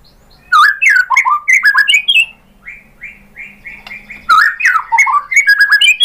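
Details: Lure song of a white-rumped shama meant to provoke other birds into singing: rapid harsh chattering and slurred notes, a run of evenly repeated rising whistles, then another burst of loud varied chatter.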